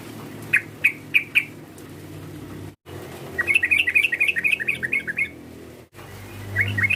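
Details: Call of a sooty-headed bulbul meant to anger a rival: four spaced, sharp chirps, then a quick, tumbling series of rising-falling notes, and a final lone chirp over low background noise.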